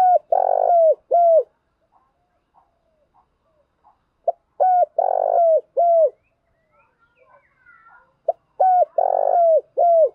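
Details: A spotted dove in Đồng Nai, Vietnam, repeats a low, hoarse phrase of short coos around a longer rolling middle note, three phrases about four seconds apart, with faint chirps between.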